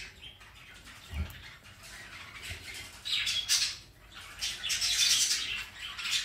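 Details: Pet rainbow lorikeet at home on a Sunday afternoon, giving harsh, noisy screeching squawks in uneven bursts, loudest in the second half, with soft rustling between calls.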